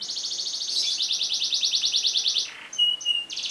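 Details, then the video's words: Canary long roll used as training song for other birds: a sustained, very rapid high trill held for over two seconds, a short break with thin whistles, then the trill resumes. "MASTERAN KENARI NGEROL PANJANG COCOK UNTUK SEGALA JENIS BURUNG"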